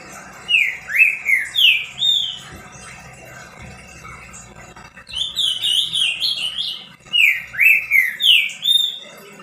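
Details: Caged green-winged saltator singing to stimulate other saltators: three bursts of rich whistled song, each a quick series of five or six slurred notes, separated by short pauses, with faint background noise.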